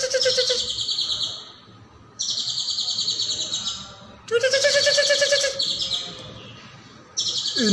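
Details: Vigorous caijo song used to train other songbirds: repeated bursts of fast, high, buzzy trilling, each one to two seconds long, separated by brief quiet gaps, some with a lower rattling undertone.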